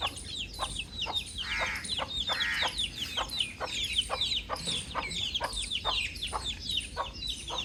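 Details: Baby chick outdoors giving a rapid stream of high, thin peeps that slide downward, overlapping almost without pause, with a few lower, harsher clucky notes near the middle and a soft steady background hiss.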